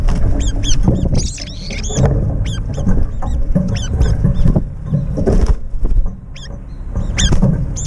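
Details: Several brown-eared bulbuls chase each other in the air while feeding, fighting to claim the food bowl. Rapid, loud, high, arched squealing calls come in dense bursts over a steady low rumble of background noise.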